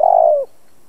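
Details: Single long coo from a decoy spotted dove kept to make other doves call: a steady hollow tone that drops in pitch as it fades.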